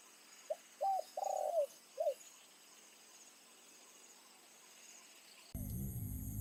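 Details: An evening decoy spotted dove calls to attract wild doves. It gives one low cooing phrase of clipped notes, a drawn-out coo and a falling tail note, followed by quiet, then a sudden burst of handling noise.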